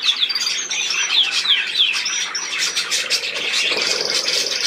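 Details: Budgerigar calls: a series of short, sharp downward-slurred chirps and brief flat whistles, then dense, buzzy chattering.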